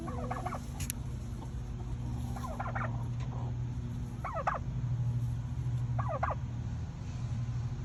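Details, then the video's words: Domestic turkeys in fall, on the day before processing, give short bursts of stacked, warbling calls in groups about every one to two seconds. A steady low hum runs underneath. "Turkeys and the Sounds of Fall"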